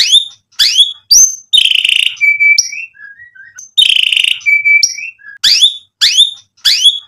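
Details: White-rumped shama song meant to goad rivals into answering: sharp upslurred whistles repeated with brief gaps, buzzy trilled bursts, and soft low whistled notes.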